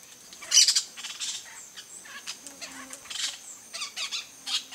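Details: Yellow-chevroned parakeet (Brotogeris chiriri) on a coconut palm: a loud sharp squawk opens, followed by softer high scratchy chirps spaced irregularly across a few seconds.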